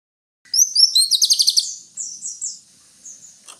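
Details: Greater green leafbird song: quick high chirps and a rapid burst of sharp repeated notes, then softer descending chirps trailing off.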